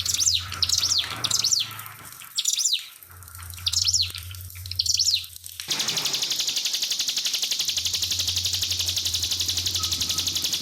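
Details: Original pied fantail master song with a piercing delivery: several high, arched whistled phrases over about five seconds, then a steady rapid pulsing hiss of trickling water takes over.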